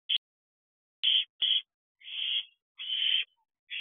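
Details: Owlets calling for food at night in an owl box, late June; short and longer harsh hissing screeches, bright and noisy, irregularly spaced with gaps of silence.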